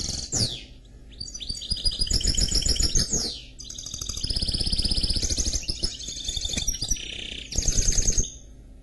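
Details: Canary x goldfinch hybrid pouring out song: twittering trills, clear whistled slides and fast rolling notes in long connected phrases with short breaks, over a constant low rumbling noise.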